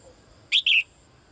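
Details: Two brief, bright high chirps from a female bird calling the male, the second a little longer, with a quiet background.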